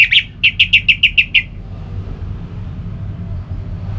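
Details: {'caption': 'Orange-headed thrush repeating one crisp whistled note about eight times in a second and a half, evenly paced, then falling silent amid faint low noise; played to stimulate kept birds.'}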